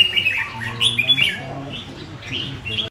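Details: Kept red-whiskered bulbul lets out sharp squawky chirps and short twittered notes, the loudest early on, fading to softer calls, while a man's voice murmurs nearby.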